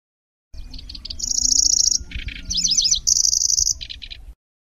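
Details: Lanceolated warbler giving nyecret-style song, said to sound like a grasshopper with rolling and sharp shot notes: stuttering chips lead into a sustained high buzzy reel, a low rattle, twisting trilled notes, then another reel.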